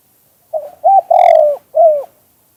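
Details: Spotted dove in the '2 kuk hoi' song style, natural recording: a short coo, a clipped second note, a long, strong, steady coo, then one downward-sliding final coo, all low and mellow against near silence.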